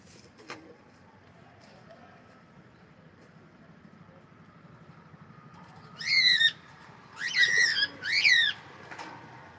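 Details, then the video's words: Cockatiel giving three loud, harsh, rising screech-like calls after a quiet stretch, the last two close together. "cute Cockatiel sound and singing"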